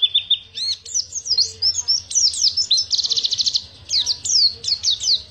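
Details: Pacitan Oriental white-eye performing the ngriwik panjang style: varied high twitters and whistles, including a rapid buzzy trill of evenly spaced notes around the middle, then more falling chirps, against a quiet background.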